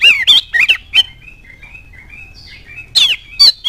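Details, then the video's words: Oriental magpie-robin song used to stir other birds into song: a few harsh, squeaky notes, then a thin run of soft whistled notes, closing with more scratchy bursts. "DALAM HITUNGAN DETIK KACER ANDA LANGSUNG NYAUT NGOBRA IKUT GACOR DENGAN PANCINGAN KACER GACOR INI"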